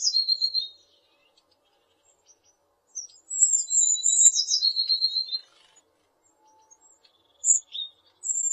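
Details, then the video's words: Blue tit song in bursts: a short high trill at the start, then a longer phrase of thin piercing notes dropping into a fast lower trill, followed by scattered high chips and a clicking sound. "The sound of a Bluetit"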